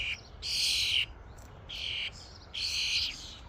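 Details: Common starlings gathered as a flock at a feeding station give three loud, raspy, screechy bursts, each about half a second long, separated by brief pauses.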